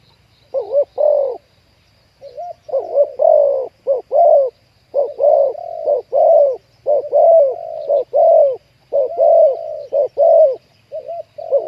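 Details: Spotted doves calling while wild birds are lured to a trap, where a deep-voiced 'ku ang' wild dove was caught: continuous low, bubbling coo phrases of short and drawn-out notes, overlapping in quick succession.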